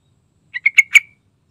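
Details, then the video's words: Yellow-vented bulbul giving a brief bubbly phrase of four quick, slightly buzzy notes, the last one fuller and longer with a short trailing tail, in an otherwise quiet background. "Suara Rayuan Trucukan Gacor Santai Bongkar Isian"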